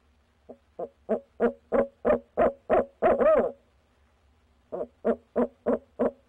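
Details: Barred owl hooting on the night of 6 February 2019, near a nest box: ten or so hoots swell into a wavering drawn-out climax, then after a short gap a new string of hoots begins.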